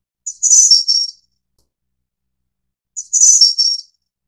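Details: Snowy-browed flycatcher of the Taiwan endemic subspecies innexa: a very high, thin, buzzy-trilled phrase of about a second, repeated after roughly two and a half seconds of silence, with no other sounds.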